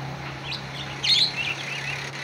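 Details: A budgerigar calling a rival: one loud, scratchy, chattering burst of chirps, with softer warbled notes before and after and a steady low hum.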